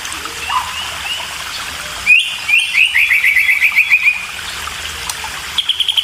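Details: Hungry white-rumped shama chicks at feeding time; a quick, even trill of a dozen short high chirps, followed by a few faint notes against a soft background hiss.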